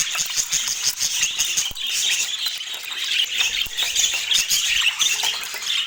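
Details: Pet budgerigars in full chorus: a constant, high-pitched mix of warbling, chirping and scratchy squawks from several birds at once, steady in loudness throughout.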